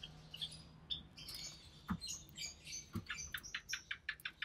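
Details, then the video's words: Recessive pied budgerigar chick, hatched early June 2020, caged with its parents while the mother feeds it; high chirps, then a fast run of short repeated squeaky notes, with some clicks and tapping. "Budgie Chick - Recessive Pied Budgie"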